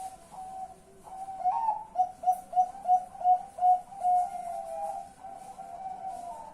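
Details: Zebra dove calling at night on 10 March 2021: a steady run of about eight mellow, rhythmic cooing notes at even pitch, rising to a clear repeated burst in the middle, with a soft low hum underneath.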